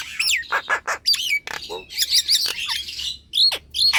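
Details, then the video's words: Nias hill myna in loud, active song, played as a lure to get sluggish, lazy captive mynas singing: sharp whistles, falling slurred notes and harsh squawks alternating rapidly with short pauses. "JALAK NIAS DI RUMAH MALAS BUNYI⁉️ COBA PUTARKAN SUARA INI"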